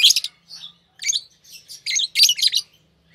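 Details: Continuous scratchy twittering from a green pair of Fischer's lovebirds, closely spaced high buzzy chirps running almost without pause.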